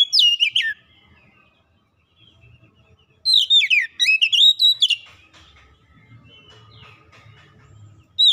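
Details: Oriental magpie-robin song used as a lure to get a reluctant bird singing: loud swooping whistled phrases open and return after a quiet gap, with rapid rich notes in the middle burst and a short phrase at the end.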